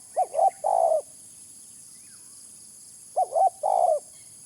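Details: Spotted dove calling as a lure: two matching phrases about three seconds apart, each a pair of short mellow hoots and then a longer throaty coo, with little else audible.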